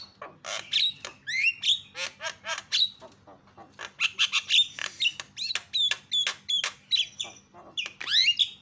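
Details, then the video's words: Javan myna lure calls meant to make other mynas shout: a long, busy stream of rasping squawks, clicks and quick whistled notes, ending with a rising, slurred whistle, with a faint low hum beneath. "GAK PERLU LAMA BIKIN JALAK KEBO JADI TERIAK"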